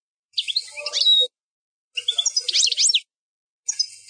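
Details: European goldfinch performing the 'plak mine' song, fourth section of an error-free rendition; bursts of rapid twittering notes with sweeping whistles and buzzy elements, three phrases broken by short pauses.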